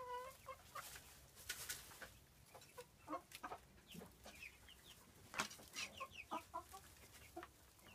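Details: A pair of frizzled Pekin bantams in porcelain red and blue colouring, five and a half months old, from a breeder; short scattered clucks and squawks at irregular intervals, with faint background hum.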